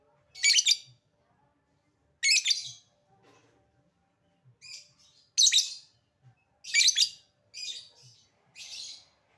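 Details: A lovebird calls and chatters, ngetik leading into ngekek: loud raspy bursts repeated every second or two, some shorter clipped notes between, high-pitched and harsh.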